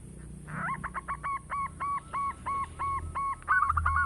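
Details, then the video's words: Loud local zebra dove with a big voice, used as a lure for other doves: a steady series of short, hooked, throaty notes repeated about four times a second, ending in a rolling burst. "Perkutut lokal gacor suara besar bikin gempar bunyi seteras cocok buat pancingan"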